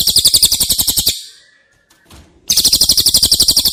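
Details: Cililin trilling, recorded for training caged White-rumped shama: two rapid, high, sharp trills broken by a short pause with a faint low tone and a knock between them.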